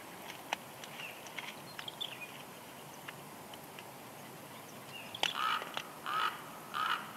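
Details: At a Big Bear Lake, California nest in March 2021, a female bald eagle whines gently while the male delivers a headless fish. Faint clicks come first, then three soft, evenly spaced, nasal notes close out the recording.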